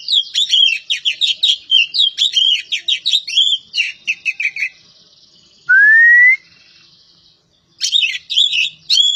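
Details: Kacer poci, an Oriental magpie-robin from Java, pours out fast chattering whistled phrases, falls quiet, gives one upslurred whistle, then resumes the rapid twittering song.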